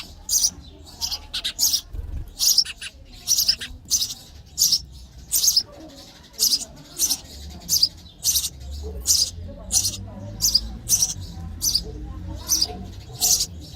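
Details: Sparrow babies chirping for food in the nest while fed, a long run of high, rasping squeaks repeated steadily about every half second to second, with a quiet low background hum.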